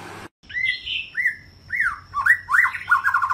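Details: Young white-rumped shama singing a forest-style song used for voice training: a run of clear whistled phrases, some rising and some falling, growing into quicker, denser notes with overlapping warbles near the end.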